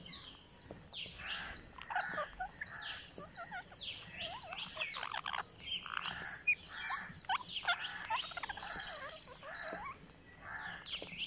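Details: A green parakeet begs while being fed on day 49, giving a continuous run of raspy, buzzy squawks and high squeaks, closely spaced and uneven in rhythm.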